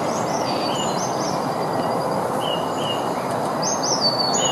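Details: Tits, feeding and singing, give thin, high whistled notes, short slurred phrases repeated in loose bursts, over a steady low rushing background noise.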